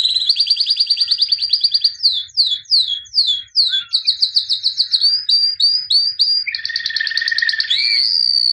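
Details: White albino canary, a 2017 champion, singing a fast varied song: rapid rolling trills, then a series of downslurred sweeps repeated about three times a second, then buzzy rattles and a low churring phrase, with no other sounds.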